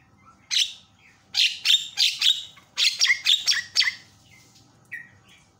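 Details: ['A Javan myna gives loud grating squawks in a rapid irregular series with a short gap after the first, then two softer notes, calling to rouse other mynas.']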